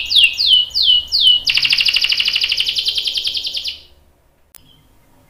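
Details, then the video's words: Canary song, caged in an indoor room, opening with four slow downslurred whistles and then breaking into a fast, buzzy rolling trill lasting over two seconds before falling silent. "KENARI GACOR cuit cuit NGEROL bikin PAUD ikut NYAUT jadi BUNYI | CANARY SINGING"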